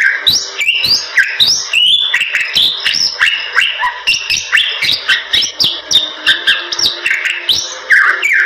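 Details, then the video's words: Bali myna, endemic to Bali, Indonesia, in full continuous song: a fast stream of bright whistled slides, harsh chatters and sharp ticking clicks, varied and loud throughout. "Jalak Bali Gacor"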